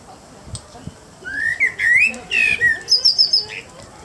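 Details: Common blackbird singing in the evening: low fluted whistled phrases sliding up and down, followed by a higher, thinner twittering ending, with quiet background noise.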